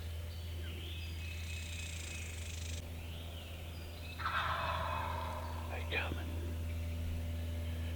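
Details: Jakes, young male wild turkeys, gobbling as they approach hunters in the Georgia woods. The gobbling sounded like longbeards. A single rough rattling gobble bursts out midway over a steady low hum, with faint chirps earlier.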